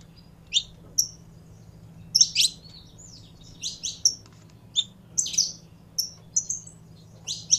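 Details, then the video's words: High, clipped chirps from a saffron finch, some single and some grouped in quick doublets or triplets, with uneven pauses and a low steady hum beneath. "Canário da Terra Esquentando em 3 2 1!!!"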